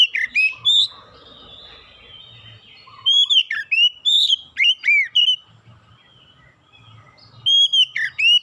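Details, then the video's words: Oriental magpie-robin singing, used to lure other birds into song: loud whistled phrases of sliding, upward-sweeping notes around the upper mid range, in bursts separated by quiet gaps, with a faint low hum underneath. "PANCINGAN KACER LANGSUNG GACOR NGEPLONG NGOTOT BONGKAR MATERI ISIAN"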